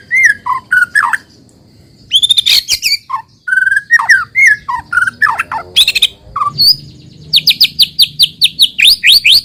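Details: White-rumped shama lure song to make untrained shamas sing quickly: varied mellow whistles, buzzy bursts, and a closing fast series of repeated upslurred notes.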